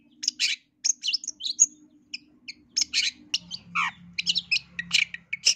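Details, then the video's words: Long-tailed shrike, East Javan style lure recording meant to trigger aggressive song: jumbled scratchy chatter mixing harsh bursts with thin high whistles and a short descending note, over a faint low hum. "Pancingan dan Masteran Cendet Jatim biar Gacor Dor Emosi"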